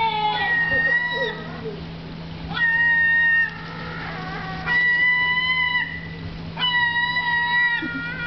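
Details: Herring gulls in Riga Zoo, Latvia, contesting sunken fish with cormorants, give a series of long, level, plaintive mewing calls roughly every two seconds, with fainter shorter notes between them and a steady background hum.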